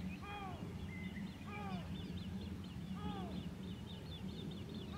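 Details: White-tailed eagle at Grönvik, Ornö, on 16 July 2024: three clear downward-slurred yelping notes spaced about 1.4 seconds apart, with faint higher chirps above and a steady low engine-like hum underneath.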